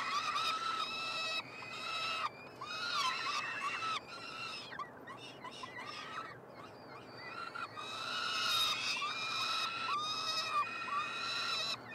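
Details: Three peregrine falcon chicks fed at the University of Montreal nestbox, Canada, on 21 June 2022: a run of grating screams, then a stretch of softer chattering squeals, before loud insistent wails resume.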